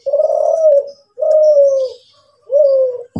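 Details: Kelantan spotted dove, a kept bird known for a deeper, more melodious coo than local doves, cooing: three low, smooth, drawn-out hoots, each slightly falling, separated by short pauses.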